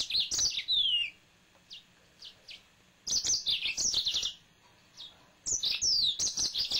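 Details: Pet male yellow-fronted canary in three lively bursts of high, quickly modulated whistles and trills, with a few isolated short chirps filling the gaps between them.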